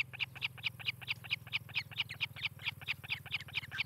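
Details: Osprey at a nest near Charlo, Montana, captured by a nest camera on 18 July 2018 in the morning: fast series of sharp, high whistled chirps, about four per second, over a steady low electrical hum.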